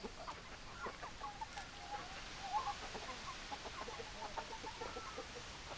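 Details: Hens clucking in a group, scattered short clucks and soft calls overlapping over a hissy background.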